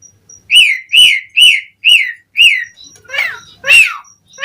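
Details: Asian pied starling whistling in gacor lure style: five evenly spaced, falling whistled notes, followed by a few rougher, sweeping squeaks.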